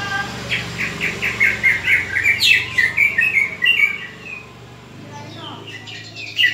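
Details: Greater green leafbird fighting call, played to sharpen other leafbirds' fighting spirit: a rhythmic string of about a dozen quick whistled notes, then the sound fades to near quiet with a faint closing chirp.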